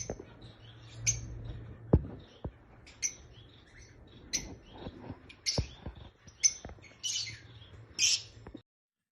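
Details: Rosy-faced and Fischer's lovebirds giving a mating call used to stimulate breeding: sparse, sharp, shrill chirps scattered a second or so apart over a low steady hum, with a few soft clicks between them.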